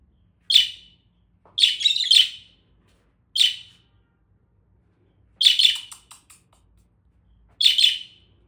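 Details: Pet budgerigars in the morning giving short, harsh chirps in separate bursts a second or two apart.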